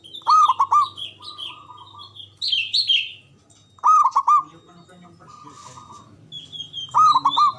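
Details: Loud local Javanese zebra dove song meant to draw other doves into answering: three bursts of quick, tumbling coo notes, with chattering chirps from other small birds between.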